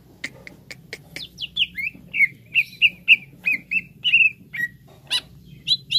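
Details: Green leafbird (cucak ijo) in a training recording meant to speed up singing in an untrained bird. Several dry clicks lead into a steady chain of rich, wavering whistles, roughly three per second, then a few high chips.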